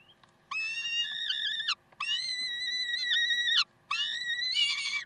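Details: Peregrine falcon in Karlsruhe, 30 May 2010 at 7:27, gives three long, harsh, wailing calls, each over a second, held on a steady pitch with a rough edge. Faint low background hum.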